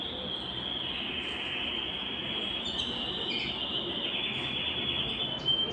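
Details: Belgian canary song for stimulating singing and getting hens into breeding condition, one unbroken high trilled roll lasting several seconds with slight pitch shifts and faint accents, over steady noise.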